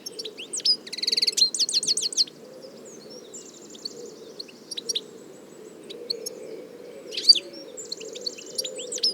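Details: Goldfinch (European goldfinch) from nature: a burst of fast buzzy trills and twitters, a pause of scattered soft notes, then another buzzy phrase with bright chirps, over a faint low murmur.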